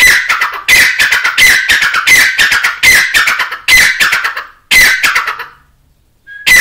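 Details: Grey francolin, hunting context, calling loudly in harsh, rattling phrases, each a burst of rapid grating notes repeated roughly every 0.7 seconds, ending in a short pause before another burst.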